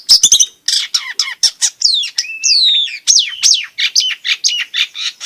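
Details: Long-tailed shrike in full song, used to stimulate silent shrikes and tutor young ones: a varied stream of harsh scratchy notes mixed with clear whistled downslurs and one sustained whistled tone.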